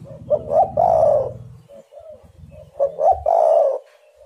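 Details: Spotted dove call used to lure birds into calling: two phrases, each of two short clipped notes followed by a long mellow coo, with soft coos in between. A low buzzing hum runs under the first phrase.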